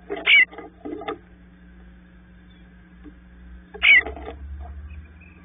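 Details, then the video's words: Bluebird babies in the nest waiting for their parents; two loud, raspy, buzzy bursts about three and a half seconds apart, each with a few softer scratchy notes, over a low steady hum. "Bluebird babies waiting for their parents to call them out"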